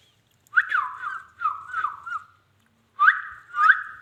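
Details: Indian ringneck parakeet, a pet parrot, talking: four short, slurred, speech-like phrases with a whistled, nasal tone, two quick phrases, a pause, then two more.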